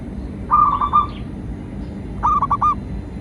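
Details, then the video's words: [0.0, 'Local zebra dove song used as a lure to get captive doves singing; two bursts of rapid, rolling staccato coos, each about half a second, with a steady low background hum.'] "Perkutut lokal gacor pancingan burung perkutut GACOR dan BUNYI"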